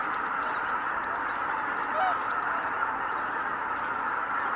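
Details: A winter flock of greater white-fronted geese departing together at Kabukuri-numa marsh on 12 January 2019 gives a constant murmur of honks, with short rising squeaks scattered throughout.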